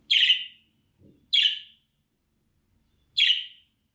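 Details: Budgerigar giving three loud, harsh, chirping contact calls, each about half a second long and spaced one to two seconds apart, with a faint low knock between them. It is a calling sound meant to lure an escaped budgie back.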